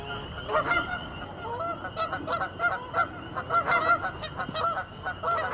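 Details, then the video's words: Canada goose flock honking in a dense, overlapping chorus of loud, guttural, nasal calls, with several birds calling at once and no gaps, over a constant high tone. "Cri de la Bernache du Canada | Canada goose sounds. Wild goose call"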